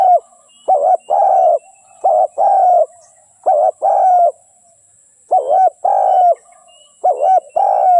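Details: Decoy spotted dove calling to attract wild doves for trapping. Repeated two-part coos, short then long and drawn out, in irregular bursts with a brief pause midway.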